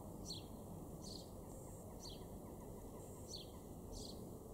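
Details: Male house sparrow in a garden in Weener, East Frisia, far northwest Germany, June 2021, giving short, bright chirps about once a second over a steady low rumble and a faint continuous hum.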